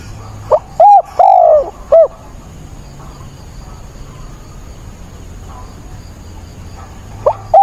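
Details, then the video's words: Spotted dove used as a decoy, cooing in a rainstorm on 28 October: a phrase of short hollow coos, the longest note drawn out and sliding down, then a long hushed gap before another phrase begins. "mưa bão cu mồi gáy càng sung"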